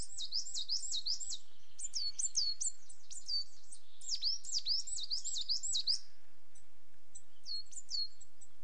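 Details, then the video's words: ['Coal tit singing rapid runs of high, sweet see-saw notes, each phrase holding five or six quick downslurred pairs, with short gaps and scattered softer notes at the end.'] "Coal Tit sound"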